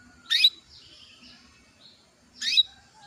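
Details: Female canary calling to stir a male into breeding condition so he starts singing quickly; two sharp, bright chirps about two seconds apart, with faint soft twittering in between.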